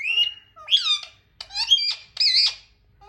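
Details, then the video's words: Talking pet parrots: four rapid bursts of harsh, warbling squawks with rich rising and falling harmonics, packed into about three seconds, loud and close with no other sounds. "Funny and cute talking parrots natural sounds"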